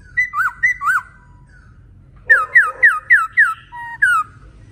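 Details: Energetic song of a male laughingthrush: two looping whistled notes, a pause, then five rapid down-slurred whistles in a row followed by a lower short note and a final slur, with a soft low hum behind.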